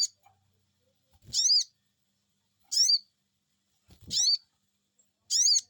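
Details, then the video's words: Crested Jay, called sogon, responding straight away to a lure: four loud, buzzy, arched "cuiit" notes roughly every 1.3 seconds, with occasional low thuds. "Cuiit cuiit,,pancingan burung sogon bikin resfon,,,langsung nyaut"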